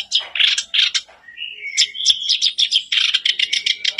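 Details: Kerak basi, a caged reed warbler, singing a bait song meant to set a silent caged bird singing: harsh, rapid chattering bursts, then a thin whistled phrase and a run of scratchy repeated notes.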